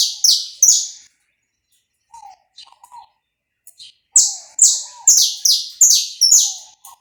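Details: Saffron finch singing, recorded live without cuts to warm up another bird: two loud falling high notes, a gap with soft low chirps, then a fast series of about seven descending high notes.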